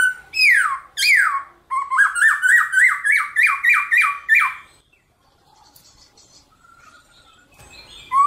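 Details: Black-throated laughingthrush in morning fighting song: two loud steeply falling whistles, then a rapid run of about ten repeated rising-falling notes, followed by a quiet pause and a final rising whistle.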